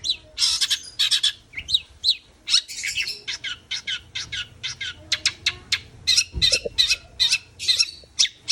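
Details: Long-tailed shrike in lively song, used to stir a quiet shrike into singing again: dense, rapid harsh chattering bursts and scratchy notes pouring out nearly without pause, loud and piercing.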